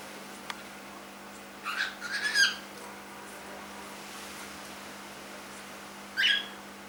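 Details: Young cockatiel kept as a pet, aged three months, producing a quick cluster of raspy, slurred chirps, then a single similar call after a four-second pause, with a low background hum and one sharp click.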